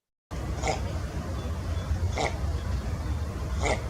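Double-crested Cormorant giving three short, rough grunting croaks about one and a half seconds apart over a steady low hum.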